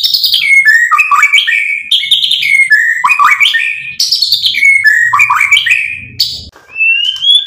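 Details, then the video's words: Lure song of a white-rumped shama, intended to provoke a response: fast tumbling phrases of whistles and chirps repeated in similar groups, ending with a long clean rising whistle. "PANCINGAN MURAI BATU biar EMOSI NYAUT jadi GACOR BONGKAR MATERI ISIAN"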